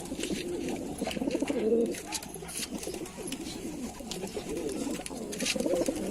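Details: Lalsara pigeons coo in low, wavering murmurs, with scattered clicks, a brief higher note and some hiss in the background.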